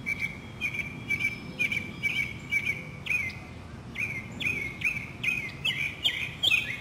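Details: Springtime Northern mockingbird song from a city neighborhood in South Carolina, 2008: a long run of bright chirped and slurred phrases, many repeated two or three times before switching, with faint distant hum beneath.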